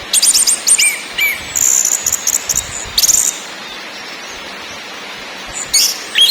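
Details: Orange-headed thrush singing in ngakrak, ngeplong and nyiul styles, with quick high chattering notes, a falling whistle, and harsh high rattles, then a quiet stretch before a final upward slurred phrase.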